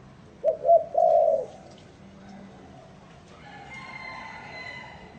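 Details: Cooing spotted dove gives one soft two-note lead-in and a longer throaty coo. A faint low hum and a thin high whistle-like tone follow in the quiet afterwards.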